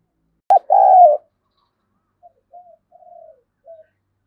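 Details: A decoy spotted dove with a harsh 'thổ' style voice, provoking wild doves, gives a loud click and a long sustained coo, followed by a few soft, distant coos.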